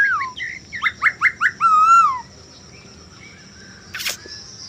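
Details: Caged male Chinese hwamei in lively song, played to coax other birds into singing: a fast run of five or six clear down-slurred whistles, then a long swooping note, followed by quiet and a short rustling noise.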